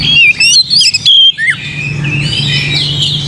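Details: Oriental magpie-robin song used to stir another bird into singing. It opens with bright, loud whistled phrases, then a short downslurred note, then fades into a thick chorus of distant chirping birds over a steady low hum.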